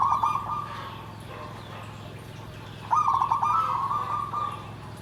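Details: Perkutut, or zebra dove, singing 'nggandem gedhe garing': a stuttering coo phrase fading at the start, a long quiet gap, then a louder rolling coo with a clipped start and a held trill, all over steady low hum.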